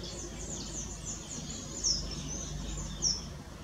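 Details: A pair of blue-and-white swallows in Costa Rica call while preening: thin, high, slightly falling chirps in a quick run, then two sharper single notes about a second apart, over a low steady rumble.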